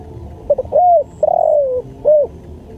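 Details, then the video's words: Spotted dove song used as a training and luring track: two quick clipped notes lead into a smooth arched coo, a long slowly descending coo, then one short rounded closing coo, over low rumbling hum. "MASTERAN SUARA TEKUKUR"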